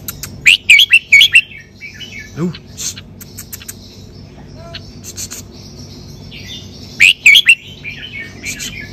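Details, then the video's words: Red-whiskered bulbul in the 'sai beun' song style: a quick cluster of four ringing, warbled whistles, faint chirps and a low swoop in between, then the same bouncy phrase repeats near the end. "นกกรงหัวจุก สายเบิ้ล สำนวนเพราะๆ"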